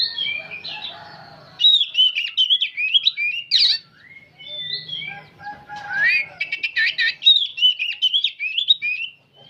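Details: Old oriental magpie-robin singing on and on, delivering quick bursts of whistled warbles and harsh chattering notes, pausing briefly between phrases, over a faint low hum.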